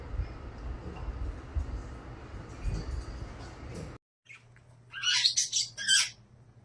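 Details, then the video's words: Pet rose-ringed (ringneck) talking parakeet gives a quick run of harsh, grating squawks near the end, after several seconds of low rumbling background noise; two birds sit close together, one preening. "Ringneck talking parrots"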